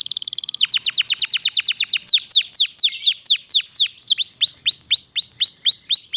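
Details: Canary rolling song meant to encourage silent canaries to sing: a very fast opening trill followed by long runs of clear downward-swooping whistles, later looping notes repeated about twice per second.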